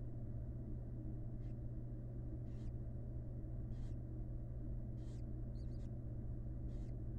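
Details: Wild barn owls at a research nest box just after the first chick hatched: brief airy rasping bursts come at irregular intervals of roughly one to one and a half seconds, above a constant low electrical hum.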